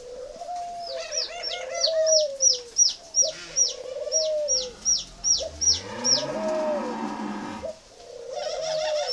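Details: Spotted dove of the 'mỏ đinh' type kept at a dove garden in Ba Vì, northern Vietnam, giving repeated low, slightly descending coos, overlaid by a rapid series of thin, high chirps from other small birds.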